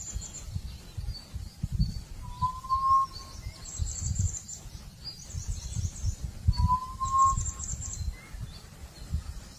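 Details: Two clear, sustained whistles from a forest quail come roughly four seconds apart. Each rises gently in pitch. Scattered high bird chatter and a steady low rumble are also heard.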